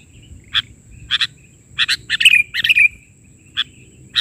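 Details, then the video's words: Sooty-headed bulbul singing a 'bahari' filler song: isolated sharp chirps, then a central flurry of rapid notes ending in a bright gliding whistle, then more single chirps, with a thin steady high tone behind. "Suara isian...burung kutilang gacor versi bahari"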